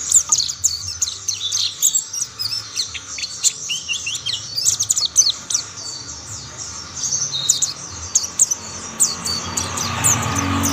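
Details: Mountain white-eye song as other white-eyes soon join in: dense, high, rapid twittering of short chirps and warbles, several birds overlapping continuously, with faint low background noise.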